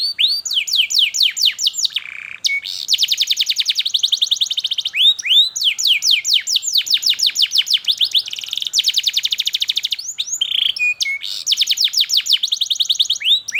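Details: Canary song used to teach young canaries to sing: continuous fast trills and rolling series of descending whistled notes, with brief steady tones between phrases.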